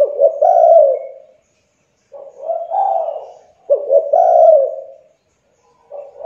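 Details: Spotted dove, young, used to entice reluctant doves into calling; repeated low coo phrases, each a quick double note leading into a longer rolling coo, spaced by short silences.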